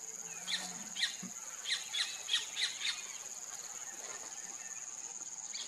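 White-fronted woodpecker giving about seven harsh, nasal notes in a quick, uneven series over two seconds, against a steady high insect drone.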